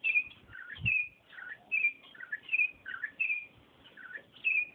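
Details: Campo troupial singing: clear whistled phrases alternating between higher and lower notes, repeated about every half second with short pauses; faint low thump near the start.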